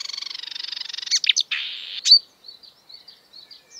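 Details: Marsh warbler, a mimic of European and African birds, opening with a fast pulsed rattle, then harsh buzzy notes and a bright squeak, fading into soft scattered twitters.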